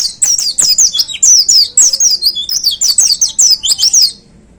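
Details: Bursting 'tembakan' performance by a caged white-eye in peak voice: over four seconds of loud, continuous, very rapid high chirps and trills, each note slurring downward, then a fade.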